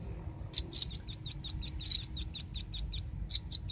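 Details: Velvet-fronted nuthatch sounds used as a lure recording to attract birds: a rapid, steady series of very high, sharp piping notes, about four per second, over low background hum.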